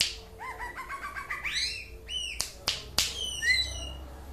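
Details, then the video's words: Aceh leafbird singing 'mabok': a rolling string of arched whistles speeds up into higher slurs. Three loud slaps are then mixed with clear falling whistles. "Kicau Cucak ijo 1/2 Mabok . Aceh"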